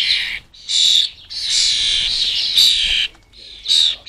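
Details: European starling fledglings clamour for food at a garden bird table in the UK. A near-continuous stream of harsh, rasping begging screeches, one long unbroken stretch in the middle, then shorter bursts.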